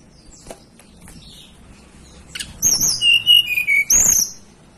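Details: Blue flycatcher native to the mountains of Banten and West Java, Indonesia, singing clear high whistled notes: sliding, slightly falling phrases with sharp upper overtones, packed into the final two seconds after a few scattered soft chips.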